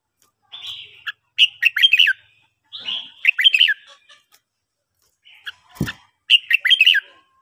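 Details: Morning song of a red-whiskered bulbul kept for song training: three lively phrases of chirpy, slurred whistles, each starting with a softer note and ending in a fast jumble. There is a brief click near the end.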